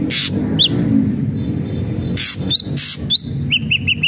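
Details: Ashy drongo song mixing harsh rasping bursts with scattered arched whistled notes, ending in a quick run of four even whistles; a low steady hum runs underneath.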